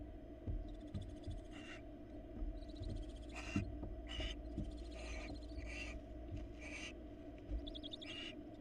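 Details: Florida barn owls at the nest, the female bringing a rat to a youngster and then interacting with the male; a series of rasping hisses and quavering trills, with clicks and knocks in the box.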